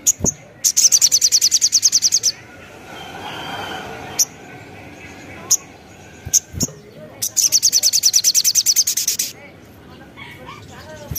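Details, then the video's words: Lively crimson sunbird song used to lure and provoke other birds: two rapid high-pitched buzzy trills of about fifteen notes each, separated by isolated sharp chips and a stretch of faint background murmur. "Pancingan Burung Sogon Gacor"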